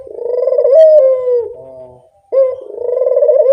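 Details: Low purring coo of a Barbary dove used as a lure call, rising in loudness then dropping off, a short silence, and a second rolling coo starting sharply and swelling.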